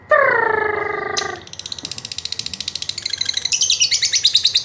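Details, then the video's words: Lovebird lure for getting birds to sing: a harsh, drawn-out squawk of about one second, then a quick rattling ngekek trill of high pulses that rises in pitch toward the end. "Pancingan Lovebird Paling Ampuh Ngetik&Ngekek Panjang"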